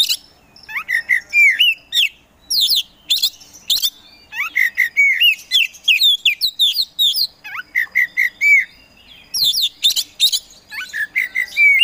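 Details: Singing kacer poci Oriental magpie-robin used as a provoker for reluctant birds: dense repeated phrases of upslurred whistles and harsh chips, delivered in energetic groups separated by short gaps.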